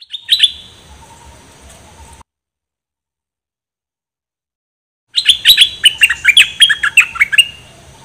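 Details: Decoy bulbul from a set of three kept decoy birds: a brief chirp, a pause, then a long fast string of bright, slurred whistled notes lasting nearly three seconds.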